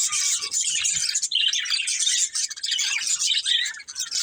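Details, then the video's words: A budgerigar family chatters in a thick layer of high, scratchy chirps and trills, with a few low knocks early on. "Cute Budgies Chirping Sounds"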